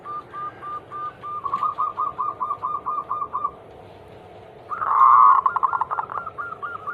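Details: Zebra dove song of the Anggungan type, meant to trigger singing in other perkutut: a steady string of short mellow coos about three per second, a brief gap, then a loud vibrating phrase followed by more evenly spaced coos.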